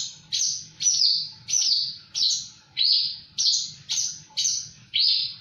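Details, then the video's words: Javan bush lark in full, lively song: loud, harsh, buzzy notes, each sweeping downward, repeated steadily about every 0.6 seconds, roughly nine in a row, over a low background rumble. "Burung branjangan gacor"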